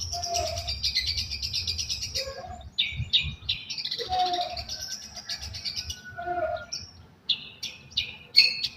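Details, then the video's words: Long-tailed shrike song of harsh buzzy phrases, quick descending chips and short whistled notes, delivered in bursts with brief pauses, low background hum throughout. "cendet katem sambung greja"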